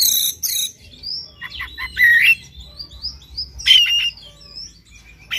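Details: Morning lure of Oriental magpie-robin song to push a bird into persistent singing; harsh chattering bursts open, followed by clear rising whistles and a rattling chirpy phrase, with thin notes trailing between.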